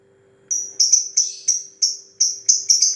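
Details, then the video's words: Lovebird in 'ngetik' ticking style, a quick even series of bright high chirps, roughly three per second, each dropping slightly in pitch, with a soft steady hum behind. "Love bird ngetik ngetik panjang"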